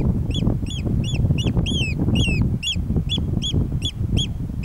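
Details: An oystercatcher on Ceann Ear island, in rough links-like grassland on 25 July 2011, gives a run of shrill, piping 'kleep' notes, about two or three a second, over heavy low wind rumble.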